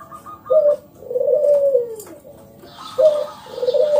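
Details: Loud, active local zebra dove song meant to coax other doves into singing. A short clipped coo leads into a drawn-out, vibrating coo that sinks at the end, repeated twice, with a faint higher whistle in the background.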